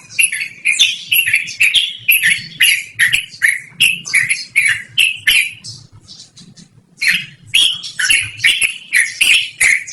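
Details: Yellow-vented bulbul pouring out a rolling, loud song meant for luring or training birds: fast chattering phrases, a short lull of faint notes around six seconds, then the chatter resumes strongly.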